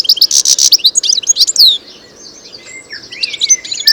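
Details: European goldfinch, locally called Arus al-Turkman and Taqtaq Shouk, singing in nature: a rapid, liquid twitter of high tinkling notes and short buzzy slurs, loud for almost two seconds, then softer scattered chirps and a few thin whistles.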